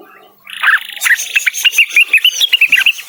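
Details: Blue-winged leafbird singing vigorously toward a rival: a rapid, even string of bright whistled notes, roughly six per second, over a faint hiss.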